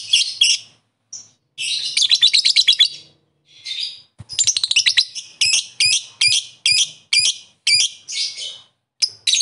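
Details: A lovebird calling rivals mixes long, fast chattering runs with sharp, high chirps repeated roughly every half second.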